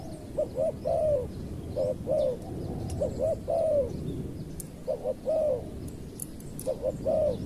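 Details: Spotted dove used as a decoy to lure wild doves. It gives low, mellow cooing phrases, each a pair of short notes and then a longer descending coo. The phrases repeat about every one and a half seconds over a rumbling low background.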